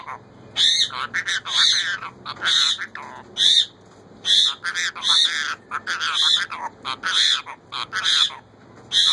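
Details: Captive female Indian ringneck parakeet repeating "roti dedo" to ask for bread; raspy, nasal syllables cluster into phrases about once a second, with short gaps between groups over a faint background hum.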